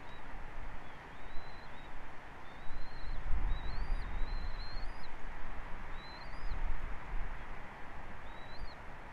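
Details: Bald eagle at a nest camera on Captiva, 29 December 2023 at 14:31; thin, high chirping notes in short rising-then-dropping bursts repeat across the clip over a steady low wind rumble.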